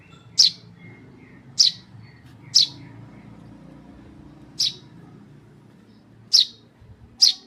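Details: Tame Eurasian tree sparrow chick uttering bright, sharp chirps at uneven intervals of one to two seconds against low background hum.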